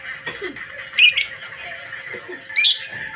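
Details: Pet lovebird of the blue ice colour type giving two loud, harsh, shrill chirps, one at about one second and another near the end, over a soft continuous chattering twitter.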